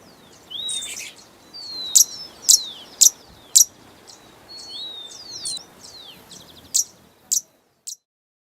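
A hummingbird gives high, thin chirps and sharp ticks, about two a second, mixed with short squeaky sweeping notes.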